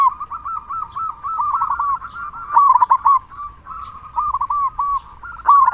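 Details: Vocal local zebra dove used to make silent doves sing quickly; a near-continuous chain of rolling, bubbling coos with louder accented notes at intervals and brief clicks between phrases.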